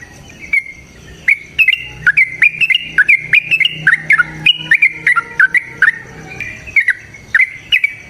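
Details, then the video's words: Long, lively song of a yellow-vented bulbul, used to prompt other birds into singing: a continuous series of sharp, rising-and-falling chirps, some doubled, with a faint steady hum beneath. "TRUCUKAN GACOR TARUNG ROPEL PANJANG PANCINGAN TRUCUKAN Agar Bunyi Jadikan Burung TRUCUK GACOR EMOSI"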